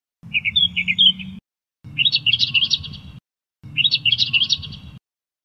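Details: Australian reed warbler song: three separate phrases of quick, chattering, scratchy notes, each about a second long with short pauses between them, over a steady low hum.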